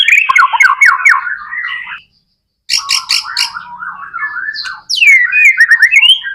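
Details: Murai batu, the white-rumped shama, in continuous song meant to provoke other shamas into singing: three bursts split by short silences, with descending warbled phrases, buzzy clicks and rising whistled notes at the end.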